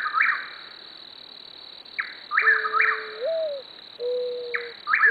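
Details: Chuck-will's-widow in Oklahoma repeats a quick, rolling, mid-pitched phrase about every two seconds, over a steady high cricket drone and the low, soft cooing of a mourning dove.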